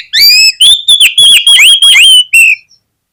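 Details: Oriental magpie-robin singing as a trigger to provoke other magpie-robins into full song: loud, bright whistles, a sustained high note broken by fast descending slurs and clipped chirps, ending in one short whistle.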